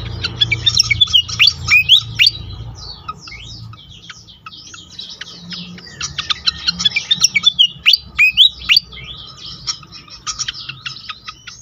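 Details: Pied fantail singing as a lure for other fantails, with rapid clusters of high squeaky chirps and slurred twitters, a quieter stretch in the middle, then renewed chattering bursts over a faint low hum.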